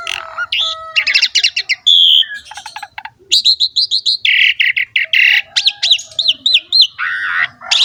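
An Asian pied starling sings a fast, varied jumble of rising whistles, buzzy chatter and clicking notes, with loud bursts following each other almost without pause.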